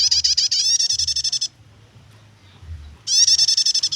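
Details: Prinia delivering a nyetater chattering song meant for luring or tutoring birds: a rising run of rapid bright notes lasting about one and a half seconds, a pause, then another fast ringing burst.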